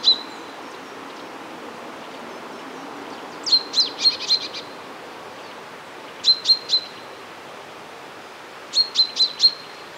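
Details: Common chaffinch (Fringilla coelebs) calling, recorded with a Nikon Z6 and a Sennheiser MKE 600 microphone on a Zoom F1. Sharp, high, clicky notes come in quick bursts of three to five, repeated about every two and a half seconds over soft background hiss.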